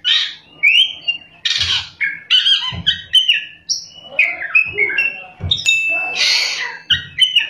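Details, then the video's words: Oriental magpie-robin in full rolling song with high shot notes, a busy stream of varied whistles, scratchy trills and quick slurred phrases, broken by occasional dull low thumps. "kacer gacor ngerol,nembak"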